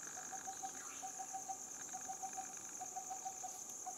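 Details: Coppersmith barbet calling: short, hollow, same-pitched notes delivered in quick bursts of three to five, with brief pauses between runs, over a steady high insect hiss.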